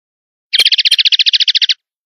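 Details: Male common linnet in open country, seeking a singing perch in a bush or hedge: one rapid, even trill of about seventeen buzzy notes lasting just over a second, then silence. No other sounds.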